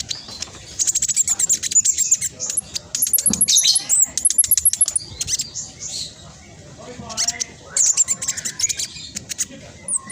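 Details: Fast, dense chattering song of a spotted black sunbird, a lure to set other black sunbirds singing: long rattling runs of very high sharp ticks with thin sweeping whistles, briefly pausing midway.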